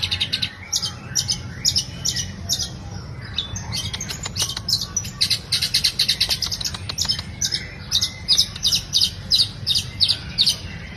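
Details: Long-tailed shrike song used as a lure to get other birds singing; rapid series of sharp, harsh chattering notes, repeated about three times a second, over a steady low hum.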